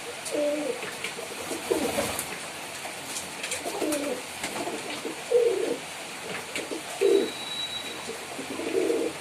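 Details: Pigeons giving short low coos scattered through, with steady background hiss and a brief thin whistle.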